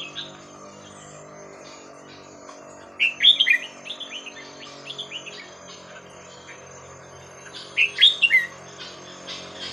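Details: Red-whiskered bulbul performing the 'Hua Krok Khayao Khuat' song, used to train young birds: two separate bursts of jaunty whistled notes about five seconds apart, with quiet pauses and faint low hum between.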